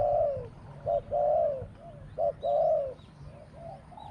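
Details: Spotted dove in a decoy-trapping setting, giving its two-note 'kuk' plus 'ku-ang' song in a small voice. Loud mid-pitched coos come in short-then-long pairs, with softer distant coos between them.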